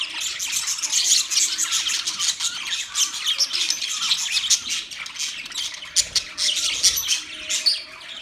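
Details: Budgerigars kept together in a freshly arranged cage keep up a constant stream of bright, scratchy chirps and twittering notes, many birds calling at once with no pauses.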